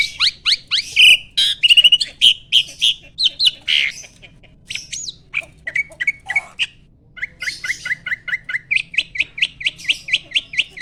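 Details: Adult male Asian pied starling at breeding peak, singing while pumping in display: long run of sharp upswept chirps, some harsh buzzy notes mid-way, then a quick regular series of rising whistled notes, all high-pitched and loud.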